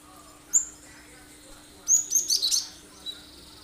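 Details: Cinereous tit giving sharp song bursts to draw other birds into singing; one isolated high note, then a rapid run of five sharp notes, and a final faint chip.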